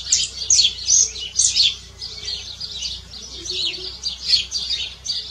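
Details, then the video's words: Canary singing outdoors in nature: a continuous, rapid, high-pitched warbling song of chattering trills and twittering phrases, swelling and fading in bursts every second or so, over a faint low background hum. "CANÁRIO CANTADO NA NATUREZA"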